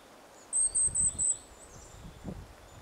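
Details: Goldcrest giving four very high, thin, evenly spaced 'see' notes in quick succession, with a soft low rumble of wind behind; dated 18 November 2012.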